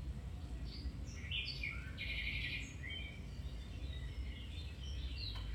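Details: Domestic canary song for training other canaries: varied high warbled phrases, short sweeps and a buzzy burst, over steady low background hum.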